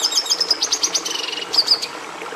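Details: Red siskin, prized by breeders for giving red colour to domestic canaries, delivers quick repeated high chirps, then a dry buzzy trill, ending with two bright whistled notes.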